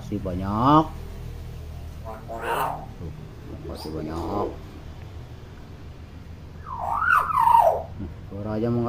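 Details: Talkative common hill myna, recorded as a master for young mynas not yet calling, utters spaced voice-like syllables and a wavering warbled phrase over steady low indoor hum.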